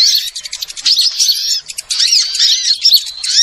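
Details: Small birds in a lure sound meant to attract birds for trapping: rapid, squeaky high chirps and twittering notes in quick bursts, a short pause midway, then more overlapping rising and falling whistles.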